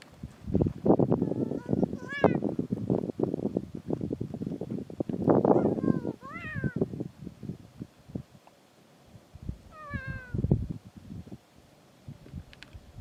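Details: Kea busy trying to break into gear: short downward-sliding squawks scattered among loud bumping, scraping and rattling sounds as it works at the gear.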